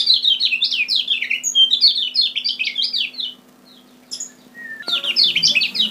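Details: Lure song of the Lombok kecial kuning: quick high twittering phrases of descending slurred chirps, a pause with one short whistle and click, then another burst of rapid chattering warble, over a steady faint hum.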